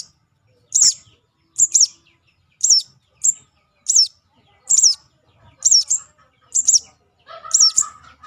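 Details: Juvenile crimson sunbird call, used for luring birds: a steady run of thin, high chirps, each a quick rising-then-falling flick, often paired, repeated roughly once a second. Faint lower warbling notes come in near the end.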